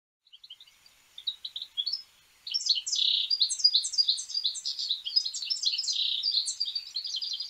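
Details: European goldfinch singing: a few soft chips, then from about 2.5 seconds a fast, dense twittering run of tinkling, buzzy and liquid notes mixed with high trills, continuing without pause to the end.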